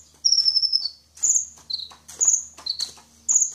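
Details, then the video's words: A sunbird sings very high, thin, tinny phrases, roughly one per second, with sharp trilled notes alternating with slightly lower clipped ones. "Suara burung kolibri sang juara"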